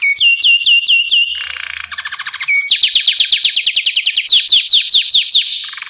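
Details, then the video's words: Belgian canary singing a loud, fast song of repeated tour phrases: clear rising whistled notes, then a buzzy trill, then a long run of rapid sweeping notes repeated about twice a second. "Canto do canário Belga."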